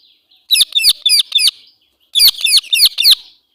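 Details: Female Indian ringneck parakeet giving an angry call: two bursts of harsh, rapid, screechy notes, about four or five per burst, separated by a short silence.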